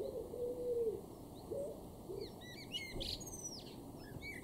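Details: A male common blackbird in a garden in Weener, East Frisia, northwest Germany, in May 2023, gives a burst of high, squeaky twittering notes over steady background hiss, after a low, soft whistled coo early on.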